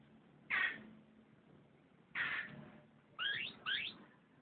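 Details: Canary uttering two loud buzzy bursts a second and a half apart, followed by a pair of quick rising whistled sweeps.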